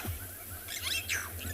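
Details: Burchell's starlings at sunset in the Tswalu Kalahari Reserve, South Africa, on 12 September. Several birds are foraging and chasing one another, giving a few harsh, slurred chattering notes close together over a steady low rumble like an idling engine.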